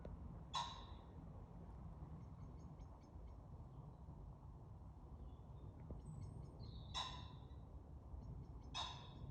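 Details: Common pheasant at night, 28 February 2023, giving three harsh, explosive calls, one early and two close together near the end, over a steady low rumble with faint ticking.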